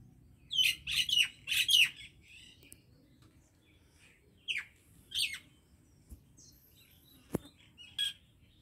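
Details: Common myna from a Pakistani Punjab village: a burst of four harsh squawky notes with descending whistles, then spaced single chirps and clicks over a quiet background.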